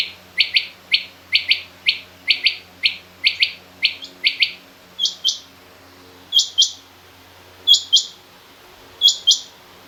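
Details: Female rain quail calling in a mix of quail voices including king quail. Rapid repeated double notes run for about five seconds, then give way to four widely spaced pairs of higher, sharper notes.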